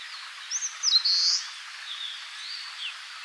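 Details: Eastern crowned warbler singing in Tainai, Japan; two short high notes, a quick pair of chips, then a drawn-out buzzy high note, the phrase heard as 'chiyo chiyo bii', over faint background hiss.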